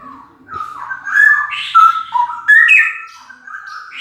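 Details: A male straw-headed bulbul sings very loudly, one continuous warbling phrase of rich, fluty whistles sliding up and down, strong and clear against a quiet background.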